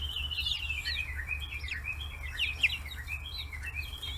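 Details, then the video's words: Forty-day-old free-range chicks crowding around fish heads on a small farm in Kitahiroshima, Hiroshima, Japan: many overlapping high peeping chirps, some rising and some falling, over a steady low hum. "chicks chirping sounds"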